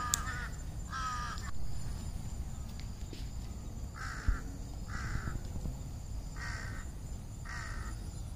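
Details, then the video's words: Harsh, clipped caws from crows in treetops before dark: a pair at the start, then four separate caws spaced roughly a second apart after a quiet pause. "សំបុកសត្វក្អែក ជាមួយសំលេង នៅពេលល្ងាច"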